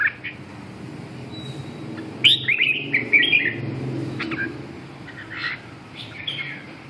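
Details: Red-whiskered bulbul in a voice-training session giving brief bright chirps and one richer warbled phrase, spaced irregularly over a constant low hum.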